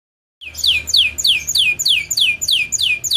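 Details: Canary song played to stimulate other canaries to sing: a fast series of repeated downward-sweeping whistled notes, about three per second, high and bright, starting after a brief silence.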